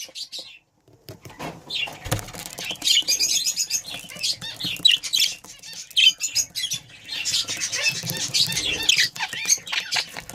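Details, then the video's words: A breeding pair of budgerigars keep up a busy, high warbling chatter of twittering chirps and clicks. It begins after a near-silent first second and continues steadily to the end. "Breeding pair budgie"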